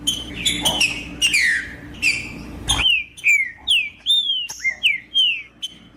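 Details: Rufous-bellied thrush (trinca-ferro) singing to rouse another thrush: loud sweeping whistled phrases, first dense and overlapping, then about nine clean arched and falling notes, each roughly a third of a second, in a quiet background.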